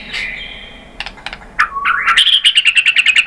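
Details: White-rumped shama song for coaxing other birds to sing: soft notes, a rising slurred whistle, then a rapid, high, even trill.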